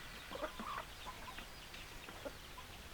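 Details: A few quick chicken clucks, some slightly tonal, sound over the quieter background of a flock of hens and roosters.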